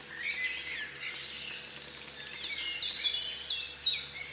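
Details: Black kite giving a rapid run of piercing, downward-sliding notes in its second half, after a softer, blurred stretch of overlapping calls at the start.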